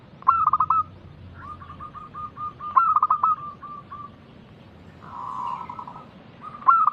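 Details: Loud local zebra dove song meant to prompt other doves to call back: clipped, rolling coo phrases repeat roughly every two and a half seconds, linked by soft, evenly spaced notes and one smoother, blurred phrase.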